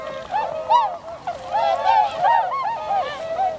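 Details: Tundra swans calling in a winter flock, filmed 7 February 2015 in Japan on a camera with external microphone; many overlapping nasal, bugling honks with rising and falling arcs, several birds at once.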